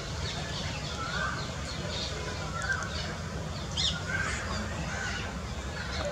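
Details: An adult spotted owlet (Athene brama) gives short, harsh chirping call notes at irregular intervals, about one a second, over a steady low rumble of background noise.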